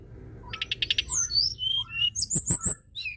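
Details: White-browed shortwing singing hard, used to stir other birds into song; opens with a quick rattle of about eight clipped notes, then high slurred whistles and chattering phrases, with sharp clicks near the end.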